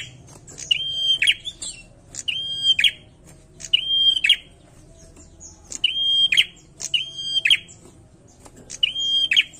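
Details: Bar-winged prinia singing: a short sharp note, then a steady high whistled tone with a buzzy burst at its end, repeated in six phrases about every 1.5 seconds over a faint low hum.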